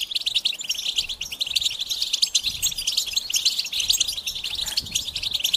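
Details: Goldfinch song as an unbroken stream of fast, high, tinkling twitters and buzzy trills, busy and overlapping throughout.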